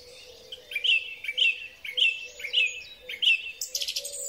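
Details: Song thrush in spring, recorded with a Huawei P30 Pro phone, repeating one clear whistled note five times at roughly half-second intervals, then a brief scratchy flourish, with a low steady hum in the background.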